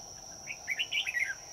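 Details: Decoy red-whiskered bulbul at a trap on a cooling day sings a brief fighting-song phrase, a quick warbled run of rising and falling slurred notes, with constant shrill insect buzzing behind.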